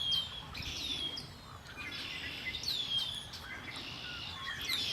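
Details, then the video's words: Birds singing at Lake Erie, steady high chirping with clear falling whistled notes repeating through the chorus over a faint low rumble. "Birds singing by Lake Erie"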